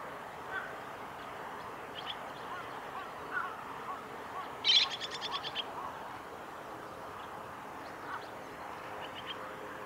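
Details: Chestnut-cheeked starling at the Kitafuji training area, Japan, 2 July 2017. Mostly quiet background with scattered faint chirps, then near the middle a loud, harsh burst of rapid, stacked notes lasting under a second, followed by a few softer chirps.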